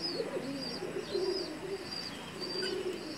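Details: Pigeons in Bangladesh cooing: low, soft, rolling coos run almost without pause, with thin high chirps from other birds repeating above them.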